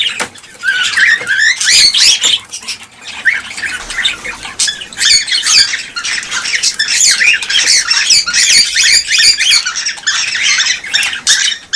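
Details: Cockatiel flock chatter intended to stimulate breeding. A steady wall of scratchy squawks and short rising whistles from many birds continues throughout, with little pause.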